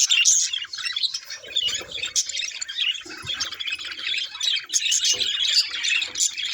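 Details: A group of budgerigars keeps up a constant high, scratchy chattering with interjected squawks and chirps, plus a few faint low knocks in the background.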